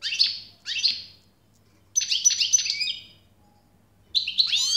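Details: European goldfinch song, described as generous singing: bursts of bright, liquid twittering notes with quick rising and falling slurs, broken by a short pause before a fresh burst, over a faint low steady hum.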